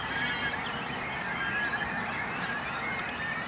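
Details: Great cormorant breeding colony with chicks on a small island in a little lake in Langedijk, between Noord and Zuid Scharwoude, Netherlands; a dense, steady din of overlapping squealing, honking calls with no pauses.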